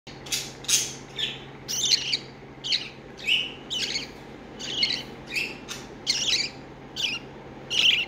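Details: A baby budgerigar, briefly away from its mother, gives harsh, scratchy chirps and squawks in irregular bursts, high-pitched and raspy.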